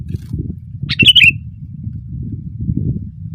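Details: Sooty-headed bulbul singing loudly from a branch, one short bubbly phrase of two or three rapid warbled notes against a low constant rumble.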